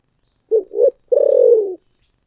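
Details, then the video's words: Spotted dove with a thổ sấm voice: two short bubbling coos, then one long vibrating coo with a rapid throb that slides gently down. Loud, clean and close. "cu gáy giọng thổ sấm thúc gù"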